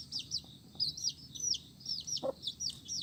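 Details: Multicoloured domestic chicks cheep in a steady run of high, piercing notes that slide downward, a few birds calling at once, with one soft thud.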